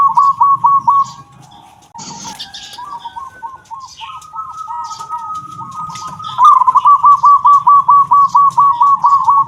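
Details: Zebra dove of local stock singing the 'kung' style used as a master recording: quick rolling coos at the start, a quieter stretch of spaced notes and a sustained flat tone, then a long fast burst of rhythmic cooing.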